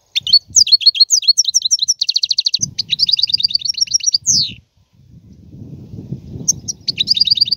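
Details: Extended goldfinch song: rapid twittering phrases and fast buzzy trills delivered almost without pause, with a descending sweep midway and a low rumbling noise beneath the later part.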